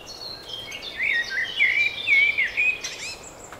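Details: Spring birdsong as a steady flowing warble of bright slurred notes, swelling in the middle, with thin high twitters layered above and a brief sharp click near the end.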